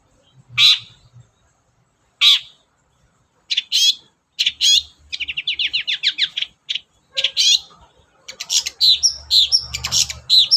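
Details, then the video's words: Long-tailed shrike song played as a lure to get other caged shrikes singing: sharp separated chirps, then a fast run of repeated buzzy notes near four kilohertz, ending in a dense mixed chatter with a low hum beneath. "SUARA BURUNG CENDET GACOR, PANCINGAN CENDET BAHAN AGAR CEPAT GACOR"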